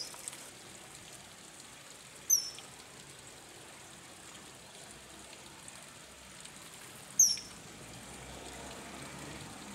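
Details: Two thin, piercing high whistles from a common kingfisher, recorded in May and January 2024, about five seconds apart, each a quick shrill 'tseee', over a steady soft hiss like running water.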